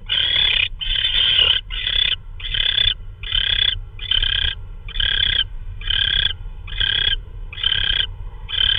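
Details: Owl recorded at night on March 16, 2013, around a prey delivery, perhaps a vole. A fast run of about eleven raspy, hissing bursts in under nine seconds, almost continuous, over a low background hum.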